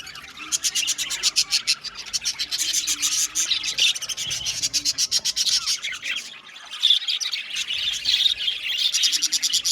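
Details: Aviary colony of budgerigars giving a continuous chorus of quick chirps and scratchy chatter, rapid pulsed notes running almost unbroken, a short lull near the middle.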